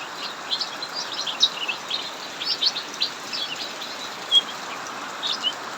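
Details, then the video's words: Cucak mini singing steadily in an aviary during heavy rain; short high chirps and brief twitters repeat irregularly over continuous rain noise. "Burung cucak mini Ngacor saat hujan deras"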